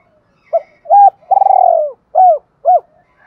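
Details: Spotted dove coo phrase used to stir wild doves and train decoys: soft short coos lead into a drawn-out trilled coo that falls slightly, followed by two clean rounded coo notes. The recording is clean.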